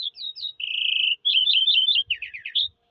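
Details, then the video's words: A Eurasian skylark sings high twittering notes and then a sustained buzzy trill, followed by warbled twists and dropping slurred notes. Faint low thumps sound near the end. "sky lark bird singing"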